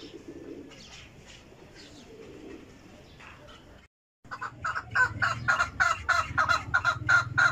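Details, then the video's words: Chukar giving a rapid series of harsh clucking notes, about three per second, starting halfway through after a quieter, softer opening with faint background noise. "chakor voice"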